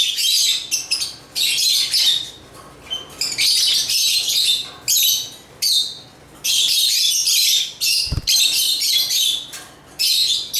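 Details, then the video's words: Repeated shrill, grating chatter of African lovebirds in bursts across ten seconds, with one brief low thump partway through. "African Love birds Agapornis chirps singing sounds"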